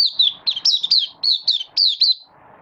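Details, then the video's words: Singing Malaysian Oriental white-eye, caged and in minor moult: a dense chain of high, warbled, wavering whistles, each note sliding downward, running nearly without pause for two seconds before stopping. "Malaysian Mata Puteh Buka Sing"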